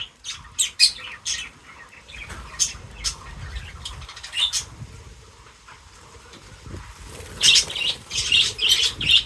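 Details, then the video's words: Feeding birds giving harsh, scratchy squawks and chirps in scattered bursts, with a louder cluster of rasping notes near the end. "Crazy Birds Feeding Reaction : Birds Chirping Sounds"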